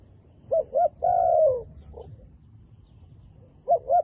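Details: A beautiful wild dove with dark black feathers coos a short phrase: two brief hollow notes, then one long drawn-out coo falling in pitch, a soft note after it, and two quick notes again at the end.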